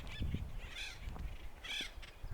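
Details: Acorn Woodpecker in Jeffrey pine and black oak woods near Stonewall Mine, Cuyamaca Rancho State Park, San Diego County, California, on a mid-spring day (May 9): two harsh, nasal, screechy calls about a second apart, over low wind and footsteps.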